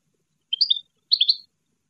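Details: European goldfinch song heard as two short liquid twittering phrases, each of three or four high slurred notes, separated by a brief pause in otherwise silent surroundings.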